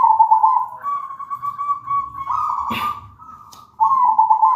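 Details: Perkutut, or zebra dove, singing; recording meant to coax other birds into song. Nearly continuous fast, purring trilled cooing, stepping slightly higher partway, with a brief click-like noise in the middle and a short gap before the closing phrase.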